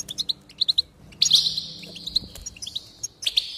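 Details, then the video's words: Goldfinch song for encouraging singing: spaced triplets of bright chips, then a loud buzzy rolling phrase full of tinkling notes, ending in more sharp chips. "increase the enthusiasm of the goldfinch and encourage it to song"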